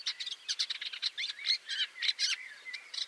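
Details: Hunting shrike, known for spiking its catch on thorns and barbed wire: busy, harsh chattering notes mixed with brief squeaky whistles and rising slurs, delivered in quick irregular bursts.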